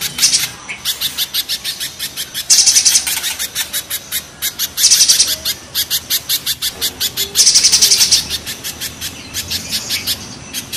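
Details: Spiderhunter song in its harsh, rough style, from a comparison of mountain and banana spiderhunters. Strings of very high staccato chips are broken by intense buzzy trill bursts, roughly every two and a half seconds.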